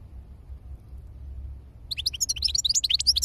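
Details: After a stretch of low humming background, a burst of rapid, high, bright twittering from a European goldfinch begins and continues to the end.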